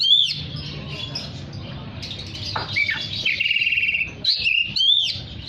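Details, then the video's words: Vigorous oriental magpie-robin song meant to draw in other magpie-robins: sweeping whistles, quick down-slurred notes, then a long rapid trill before more bright whistled phrases; constant low hum beneath. "Terapi Suara kacer gacor untuk memanggil kacer lain dijamin langsung ikut bunyi"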